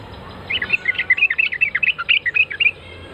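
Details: Yellow-vented bulbul responding after hearing a lure call: a lively run of about twenty quick, bubbly chirps that vary in pitch, delivered in an unbroken chatter over faint background noise.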